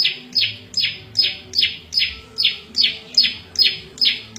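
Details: Prenjak lumut, a small melodious prinia used to tutor cage birds and attract wild ones. Its song is a steady series of buzzy, down-sweeping notes, roughly two and a half per second, evenly paced.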